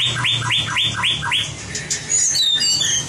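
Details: White-rumped shama being trained for competition singing: a run of five rising-then-falling whistled notes, about four per second, followed by varied high thin whistles and trills, with a low hum underneath.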